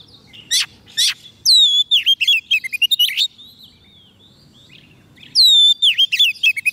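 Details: Singing to attract wild birds, a White-rumped shama on soft food gives two harsh rasping notes, then a fast cascade of whistled slurs and ticking notes, a pause, and another whistled phrase.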